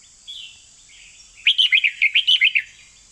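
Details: Red-whiskered bulbul singing in the doubled 'เบิ้ล2เบิ้ล3' style: a quick run of about eight bright, chirpy whistled notes bunched near the middle, over a steady high hiss.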